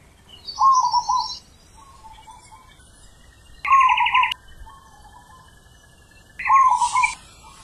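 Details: Deep ulem manggung song of a wild zebra dove, three bubbling, trilled coo phrases roughly every three seconds, softer coos between them, and buzzy higher notes from other birds over two of the phrases.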